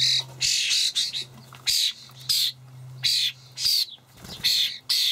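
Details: Common starling young fed by their parents in a Hamburg allotment garden, 28 May 2012: strident, scratchy wheezing calls in distinct bursts about every half second, harsh and insistent, with faint hum between them.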